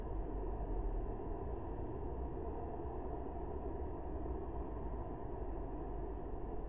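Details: A steady low rumble, like distant traffic or engine noise, fills the recording with no animal calls audible.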